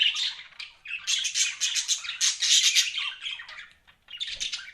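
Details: Pet budgerigars chirping indoors: dense, scratchy warbling chatter in rapid bursts, with a short pause near the end before the chatter resumes.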